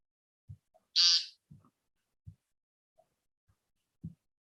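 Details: A male American woodcock on the ground gives his display peent call, one harsh, buzzy, nasal note about a third of a second long, amid a few soft low thumps and faint clicks.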